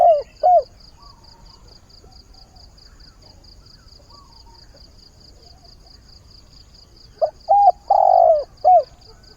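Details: Spotted dove kept as a decoy, calling at daybreak to find a mate: a brief end of one low coo phrase, a long quiet pause, then a full phrase of short, drawn-out and falling hollow notes, with constant rapid high ticking behind.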